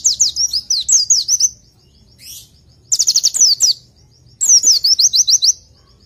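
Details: Oriental white-eye tutor song: three bright phrases of quick, high, downward-sliding notes, with a single rising chirp in the quiet gap between the first two.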